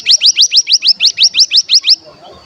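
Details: Lure for bar-winged prinia to provoke singing: an even run of about twelve sharp, rising high chirps in two seconds, then quiet.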